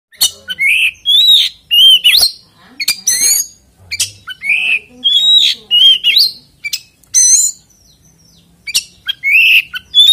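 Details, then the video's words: Oriental magpie-robin (kacer) singing a continuous 'ngeplay' lure song without chattering, meant to provoke other magpie-robins into song; loud whistled notes, rising and slurred, delivered in bursts separated by short pauses. "PANCINGAN KACER NGEPLAY ANTI NGRIWIK DIJAMIN KACER LAIN IKUT GACOR"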